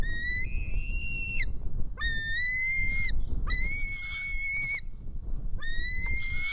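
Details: A young white-tailed eagle at a nest in Estonia, 4 July 2018 around 1:10 pm, screams while a parent feeds it fish: four drawn-out, high, thin screams, each about a second long and rising at the start, over steady low wind rumble.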